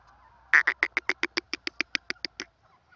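A francolin gives a fast run of about thirteen harsh, grating notes, roughly seven a second, fading slightly toward the end.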